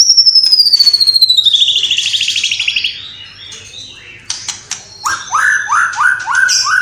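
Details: White-rumped shama in full song with copied calls of sparrow, lovebird and kapas tembak: a long loud whistle sliding downward, then sharp clicks and a rapid series of rising buzzy notes.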